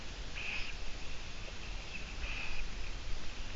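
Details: Long-eared owl recorded on a live broadcast on 17 June 2017 around midday: two short, rasping high squeaks almost two seconds apart, fairly quiet over a constant hiss and low rumble.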